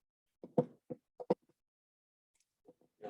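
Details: A series of short, dull knocks, like rapping on a door, in an otherwise quiet room with no animal voice.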